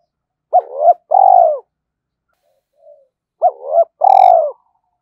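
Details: Spotted dove decoy bird calling to challenge and lure wild males: two identical phrases about three seconds apart, each a wobbling double note followed by a long falling coo, with a faint soft note between them.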